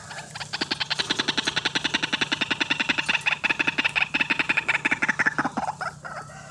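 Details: White-breasted waterhen in full voice, a recording meant to lure birds for trapping: a long even run of bright, buzzy repeated notes, roughly three or four per second, steady throughout before tapering, with low hum behind.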